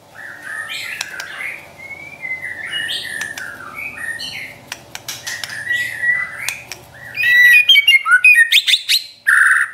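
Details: Trotol song of a champion white-rumped shama, meant for training pet birds: long gliding whistles over a steady low hum and clicking, ending in a loud rapid series of short rising notes.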